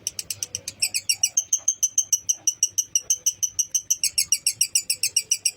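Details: Lovebird in a long ngekek session, used as a training recording to provoke other lovebirds and raise their fighting spirit: rapid, harsh, ringing chattering notes repeated about three times per second, steady and unbroken throughout.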